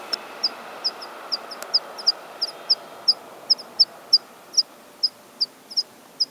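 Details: A water pipit's spring song: a steady series of sharp, high 'tsip' notes, about three each second, over a soft background hiss.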